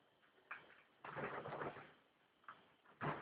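An African grey parrot talks in short, speech-like bursts: a clipped word, a longer raspy phrase, then two quick syllables, in a quiet indoor room.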